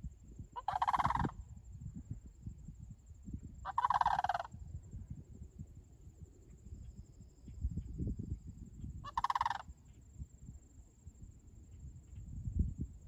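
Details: Sandhill cranes near Lake Sallie give three loud, rolling, rattling bugles at irregular intervals, over low wind rumble and a steady high whine.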